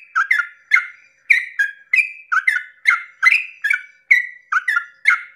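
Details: Sooty-headed bulbul singing its long 'ropel' song in the early morning to provoke other bulbuls: quick, chuckling whistled notes in close pairs, dropping then rising in pitch, repeated without pause.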